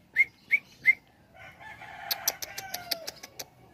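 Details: Sooty-headed bulbul, with young and adult birds compared: three loud short whistled notes about a third of a second apart, then a softer descending warble mixed with a run of sharp rapid clicks.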